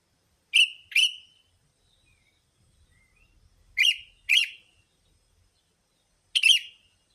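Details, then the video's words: Sooty-headed bulbul calls played as a lure for bulbuls. Two paired sharp chirps, about three seconds apart, are followed by one final burred chirp. The notes are clean and high against near silence. "Suara Burung Pikat Kutilamg Masteran Paling Cocok Semua Jenis Burung Kutilang"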